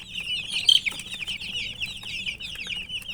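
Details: A crowd of colourful baby chicks peeping nonstop. The rapid, overlapping high chirps form a shrill, steady chatter, with one louder peep standing out early on.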